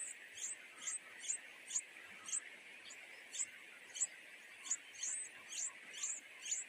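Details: A pair of nightingale chicks pestering their mother for food at the nest with a rapid series of piercing high begging notes, about fourteen in seven seconds, above a steady buzzing hiss.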